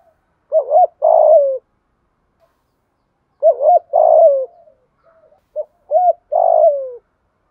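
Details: Spotted dove in a dense, full cooing performance: low mellow coo phrases, each a short double note then a longer falling coo, repeated in three groups with silent pauses between.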